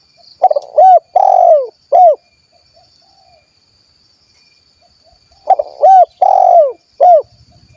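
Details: Spotted dove of the 'kuk 1' type from Cilacap, Central Java, Indonesia: two loud cooing phrases about five seconds apart. Each has a short note, two hooked notes and a long drawn, falling coo. Faint high background whine.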